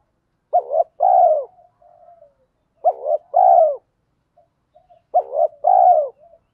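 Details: Lure spotted dove singing 'thổ pha' style, quick sewing-machine 'thúc gù' coos meant to make wild birds coo along: three evenly spaced phrases, each a rough short note then a longer falling coo, every two-plus seconds.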